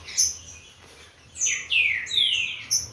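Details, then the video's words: Green-winged saltator warming up in captivity, bred from Corvo x Fogueira stock. It gives a run of rich, slurred whistles, each sweeping steeply downward, in quick succession, with high squeaky chirps before and after. "TRINCA FERRO 157(CORVO X FOGUEIRA) AQUECENDO AS TURBINAS."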